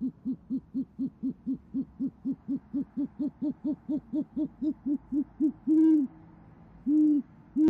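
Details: Female great horned owl at a camera-watched nest in Oklahoma City, 6:54pm on 28 January 2014, calling her mate, who answers. About twenty quick, low, even hoots in a rapid run, then three longer drawn-out hoots.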